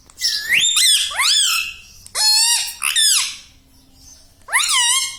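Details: Pet ringneck parakeet talking, known to say "mummy": three or four loud, squawky word-like phrases of bending, rising-falling tones. A quiet gap comes before a final rising squeak.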